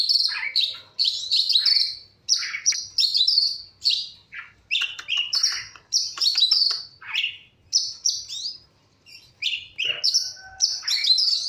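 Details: Morning chirping of a long-tailed shrike: busy, varied chatter of high scratchy notes and falling squeaks in bursts about a second long, with short pauses between, clean background.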